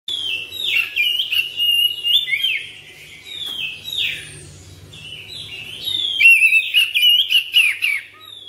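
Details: Home-kept Oriental magpie-robin singing in the fast, continuous ngropel style with long-breath phrases: loud whistled notes sliding and warbling, bursts separated by brief quieter gaps, with a faint low hum beneath.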